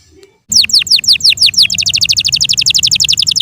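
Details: Kept Yorkshire canary singing: after a short quiet start, loud downward-sweeping whistled notes about four per second, then a fast, even trill of rapid repeated chips.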